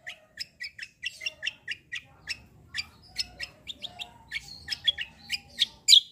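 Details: Black-winged myna singing in a rolling, vigorous 'ngeroll gacor' style: a steady run of sharp, high chirps and short whistled notes, about three per second, with a few brighter squeaks near the end and a faint low hum beneath.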